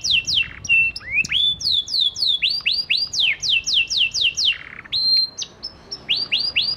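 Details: Panda canary in lure song meant to make quiet canaries respond: loud, clear series of downslurred whistles repeated about three per second, with rising swept notes and short held tones between phrases.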